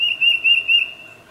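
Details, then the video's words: A tufted titmouse whistles to its mate, three clear, high notes in quick succession fading into a short tail; recorded using a Nikon D800 with a 600mm lens. "Tufted Titmouse Calling Its Mate"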